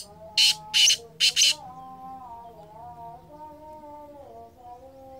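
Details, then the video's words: Kala teetar (black francolin), 2023, opens with three rapid rasping call bursts, followed by several seconds of smooth, sliding tonal notes in the background. "Kala Teetar I Balck Francolin I Bular Kala Teetar"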